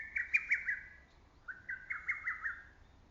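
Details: Lesser cuckoo in early summer woods delivering two quick phrases back to back, each a short descending-start note followed by a run of crisp whistled notes at a steady pitch.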